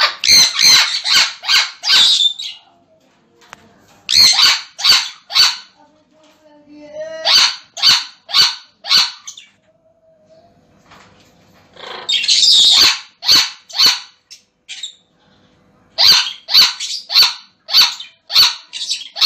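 Sun conures give loud, harsh, high-pitched screeches in rapid bursts of four to six calls.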